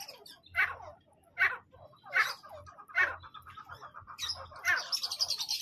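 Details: Grey francolin (teetar), male and female, calling: a series of harsh, loud notes repeated about every three-quarters of a second, followed by thinner high chirps near the end.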